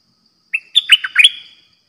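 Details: A caged decoy bulbul gives one brisk, bubbly phrase of five or six liquid whistled notes, rising and falling, in about a second; nothing else heard.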